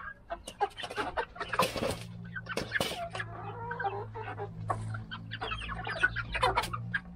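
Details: Chickens of mixed breeds (Australorp, Polish, Rhode Island Red, Silver Laced Wyandotte) crowded together, uttering dense, irregular clucks and a few louder harsh squawks over a constant low droning hum.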